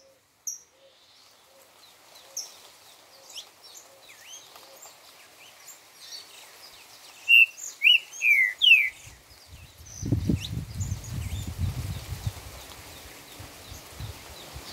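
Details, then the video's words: Green-winged saltator (trinca-ferro) singing the four-note 'boi' song style: a loud phrase of four slurred, rich whistles near the eight-second mark. Soft high chirps from other birds come first, then low rumbling noise follows. "Trinca 4 notas boi"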